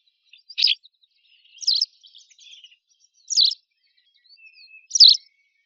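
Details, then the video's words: White wagtail (Motacilla alba) giving four sharp, high 'chissick' calls about every one and a half seconds, with faint soft twittering between them. "Audio de la Lavandera blanca"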